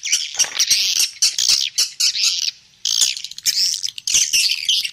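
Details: Swiftlet roosting call used as playback to attract birds to roost in a three-storey building: shrill, scratchy twitters in loud bursts separated by brief gaps, with a near-silent pause midway.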